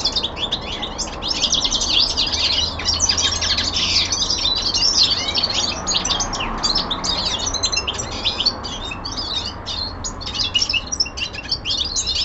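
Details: Common linnet, a young male kept at home, pouring out a long, unbroken twittering song of rapid high chirps, rattles and quick trills at steady volume.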